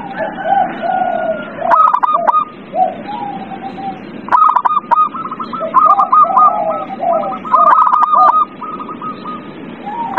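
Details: Zebra dove lure song to rouse a quiet bird: long strings of rapid hooked coos overlapping with lower warbling coos from several other doves, rising and falling in loudness.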